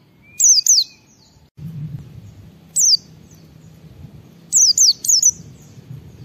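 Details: Pleci (white-eye) in full, lively song, played to stir other white-eyes into singing: high, sharp double-noted swooping phrases in short bursts, with gaps between, over a low background hum.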